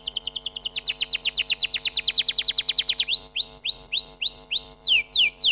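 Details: Canary song: a rapid, regular trill of short buzzy notes, then a series of loud rising whistles repeated about every half second and ending in sharp falling notes.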